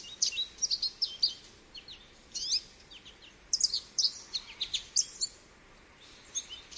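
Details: High, rapid twittering of an American goldfinch in bursts of quick varied chirps and slurred whistles, separated by short pauses, in a quiet setting.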